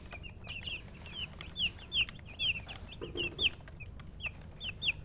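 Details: Baby chicks peeping loudly, clear high notes sweeping downward, irregular bursts of two or three calls, with a brief low murmur midway and background hum.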